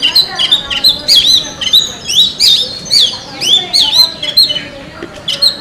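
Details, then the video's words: Oriental magpie-robin singing in forest: a lively stream of sweet, whistled notes with rising and falling slurs and sharp upswept phrases, repeated in bursts about every half second, over a faint hiss. "suara burung kacer di hutan"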